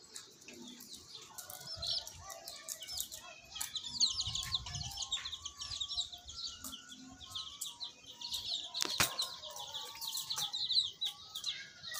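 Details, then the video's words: Many baby chicks peep together in a busy, high-pitched chorus, with soft thumps and faint background noise running under the constant overlapping chirps. "Baby chicks chirping sounds"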